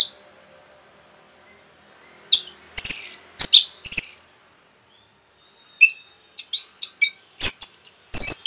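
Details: Orange-headed thrush, rapid song intended to provoke other birds: loud scratchy high phrases, a quiet gap, soft ticking notes, then a closing burst of shrill chirps.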